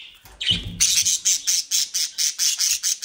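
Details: Captive bred budgerigars in the Den Haag region of the Netherlands: a single squawk, then a fast train of harsh, evenly spaced scratchy notes, about two or three each second, with a low thump at the start.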